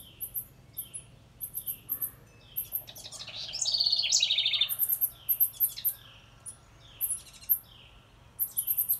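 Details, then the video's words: Near a birdhouse, a wren delivers one loud rapid trill midway, set among regularly repeated thin, very high notes and short downslurred chips. "Listen close & you can hear the wren say she likes this house"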